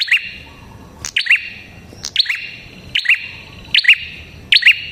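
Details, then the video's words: Loud prinia song (prenjak kepala merah) meant to make prinias answer: rapid run of about six sharp, high two-part chirps, closely and unevenly spaced, each with a lingering echo. "Suara Burung Prenjak Kepala Merah Gacor Ampuh untuk Pikat Prenjak & Pancingan Prenjak dijamin NYAUT"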